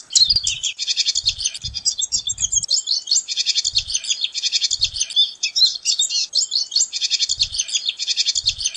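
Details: Pine siskin pouring out an extended song of rapid trills, twitters and buzzy notes, barely pausing across the phrase, over occasional low thumping sounds.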